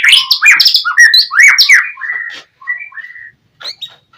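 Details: White-rumped shama singing in the loud 'gacor' style used to provoke rivals: rich rising and falling whistles and chatter, then fewer clear whistled notes with short gaps.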